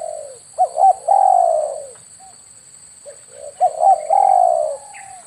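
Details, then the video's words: Lure recording of spotted dove cooing, for calling birds in during air-rifle hunts: two phrases about three seconds apart, each with two quick hooked notes and then a long, slightly falling coo. A faint high steady whine runs throughout. "SUARA PIKAT BURUNG TEKUKUR/DERKUKU"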